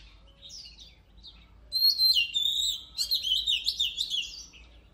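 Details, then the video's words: Oriental magpie-robin singing to train and rouse competition birds: a few soft scratchy notes, then a loud outpouring of fast twittering, trilled and whistled phrases lasting about three seconds. "Luyện giọng chòe than HÓT HAY || Kích chòe than hót căng lửa || Suara Burung Kacer Gacor"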